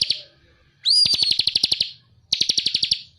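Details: Bar-winged prinia in full active song, recorded for tutoring songbirds: a rising whistled lead-in followed by a quick series of bright, buzzy chips, then a second, shorter trill after a pause.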